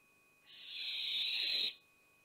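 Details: At Théding on 5 July 2021, a barn owl mother pushes away her young: one long, rough, breathy hiss of over a second that swells and then cuts off sharply, over a quiet steady hum.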